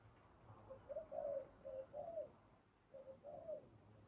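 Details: Spotted dove during trapping with a decoy, giving soft low cooing notes in two phrases of three to four muffled coos separated by a short pause, faint and somewhat distant.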